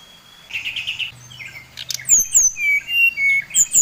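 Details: Lure song from a brown-chested jungle flycatcher of the Bali type, meant to stir other birds: a soft buzzy trill, then bright whistles alternating between sharply descending high notes and lower level tones, with a faint low hum.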